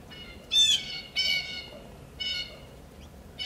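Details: Woodpecker giving harsh, squawking calls with strong harmonics, four short bursts spaced irregularly over a few seconds against a faint background hiss.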